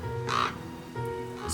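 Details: A young hooded crow, found weak and alone near a working arborist with no parents nearby, gives a single short, harsh croaking caw over soft background music.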